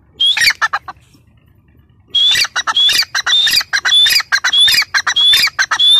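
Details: Grey francolin female calling: a brief harsh note, a pause, then about four seconds of steady, loud, rasping calls, each headed by a high thin whistle, repeated rapidly and evenly.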